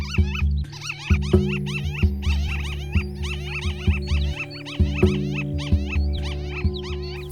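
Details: White-tailed lapwing nesting in late April on flat semi-desert near Kyzylagach National Park, Azerbaijan, gives sharp rising nasal alarm screams about once a second over a low musical drone, as buffalo and cow herds approach the colony.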